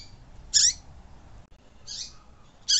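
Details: Double-collared seedeater in the tui tui song style, played to warm up caged birds: three sharp, high, shrill notes, each sliding downward at the end, spaced about a second apart over faint low background hum.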